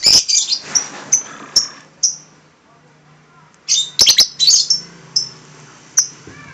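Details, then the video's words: Lovebird producing odd sounds: short high squeaky chirps and brief whistled notes, spaced irregularly with pauses, and a quick cluster of sharp calls midway through. "Lovebird paskun suara aneh"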